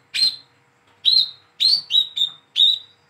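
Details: Speckled young Olive-backed sunbird, hand-raised, calling to coax silent birds into song: six piercing high tweets, three of them run together in a quick burst.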